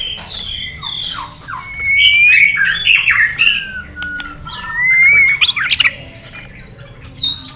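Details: White-rumped shama, fired up and flicking its tail on its perch, in competition singing with long wild-style phrases: loud slurred whistles rising and falling around mid-high pitch, a long sweeping note near the end, and sharp chips between.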